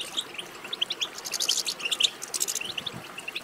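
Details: European goldfinch chatter used to encourage goldfinches to sing: scattered, quieter bright chirps and short tinkling notes, loosely spaced, with a denser burst of twittering in the middle.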